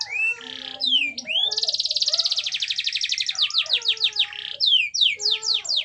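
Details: Canary in energetic song, played to coax other canaries into singing: a long rapid high trill, then repeated downward-sweeping notes and chattery phrases, with softer lower whistled tones running beneath.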